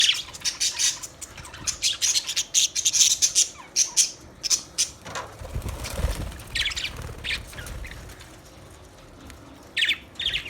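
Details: Budgerigars chirping: dense run of short, bright, high chirps and squawks over the first five seconds, then a quieter stretch with rustling and thumps, and a few scattered chirps near the end.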